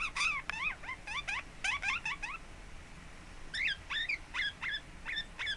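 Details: Pet lineolated parakeet, relaxed and settling in at home, recorded 26 April 2017, giving bursts of short chirps with quick upward and downward sweeps, in a fast run, a pause, then a further series of chirps.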